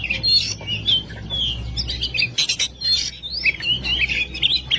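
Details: Kacer (oriental magpie-robin) in energetic masteran song: sweet rising and falling whistles mixed with harsh chattering notes, delivered in a steady unbroken stream over a faint low hum.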